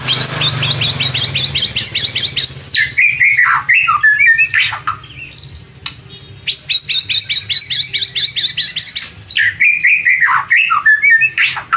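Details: White-rumped shama singing as a lure to stir rivals: rapid, rhythmic strings of high chattering notes, then lower slurred whistles, a short pause and the same fast chatter again.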